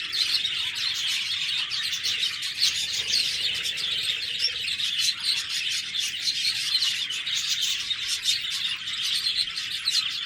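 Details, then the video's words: Budgerigar chatter, steady and busy: high chirps, rapid twittering and short warbled notes overlap without a break for about ten seconds. "Budgies Birds talking sound Birds chirping sounds"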